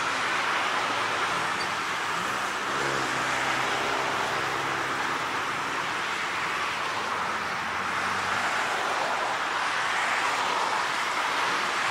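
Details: Steady roadside traffic roar with a passing engine's droning hum, and no animal voice stands out.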